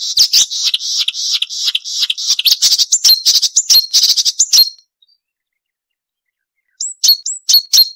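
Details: Marsh warbler song used as a training recording for songbirds: fast, dense run of sharp high chirps and buzzy notes for about five seconds, a pause, then a few sharp rising whistled notes.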